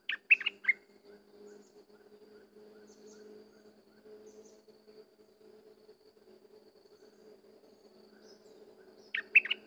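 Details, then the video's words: A bulbul, named as sooty-headed, gives brisk whistled bursts of several liquid notes at the start and again after nine seconds. A low steady hum runs underneath. "Burung merbah lekir bay hoach thom gacor bahanan"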